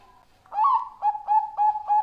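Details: A Bangkok-type zebra dove (perkutut) gives a soft, mellow cooing song: one drawn-out note, then quick short coos about three per second, all at the same pitch.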